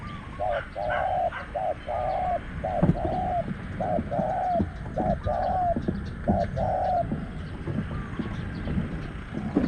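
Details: Spotted Dove cooing during a dove-luring session with a caged decoy at spot 14, a fierce wild bird with a small voice answering. Soft, low, hollow coo notes come in quick repeated phrases, with faint rustling behind.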